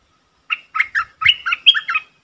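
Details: Luring sound of a bulbul from 24 September 2021: a lively phrase of about eight short warbled notes, bubbling and chirpy, climbing into a brief clear whistle before dropping back at the end.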